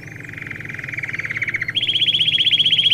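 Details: Domestic canary singing, a recording meant for training young birds: a fast, even buzzy trill that switches partway through to a higher, brighter rapid roll of repeated notes, with faint low hum beneath.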